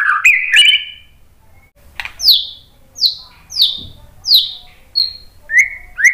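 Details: White-rumped shama song used as a lure to get other birds to answer: rising whistled opening notes, then five loud downward-sweeping whistles about every 0.7 seconds, closing with short flat whistles.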